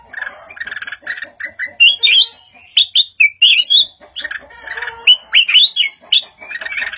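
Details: Caged Red-whiskered bulbul from Thailand singing a long, varied run of chattering and whistled notes, some harsh and buzzy, others clear and rising, with brief pauses between bursts.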